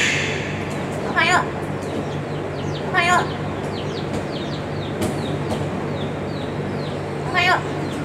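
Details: Yellow-crowned amazon (Amazona ochrocephala) at Kusatsu Tropical Wonderland, Japan, repeatedly saying good morning ("ohayo"). It gives three wavering, nasal, speech-like greeting calls at uneven intervals over a steady hum and faint chirps from other small birds.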